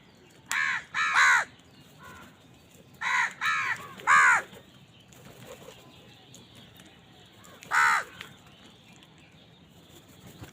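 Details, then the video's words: While feeding, a crow gives harsh, nasal caws in short bursts of two and three, then a single caw after a pause, over a quiet background. "Crow bird crowing sound"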